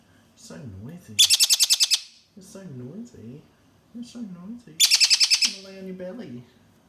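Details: Juvenile pet Malabar parakeets, handled and nibbling a finger, give two loud bursts of harsh, rapid chattering screeches, about eight notes each, over a woman's sing-song talk.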